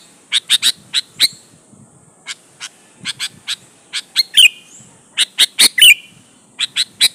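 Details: A sooty-headed bulbul in full voice, sung to provoke rival bulbuls to reply: bursts of rapid sharp chirps, some ending in a short falling whistled slur, about forty notes a minute with uneven spacing.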